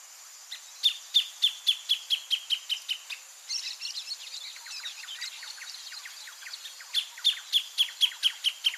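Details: A greater thornbird (Phacellodomus ruber) sings near its nest in breeding season: loud, sharp notes about five per second, falling slightly in pitch, with a softer, busier chatter in the middle before the loud series returns.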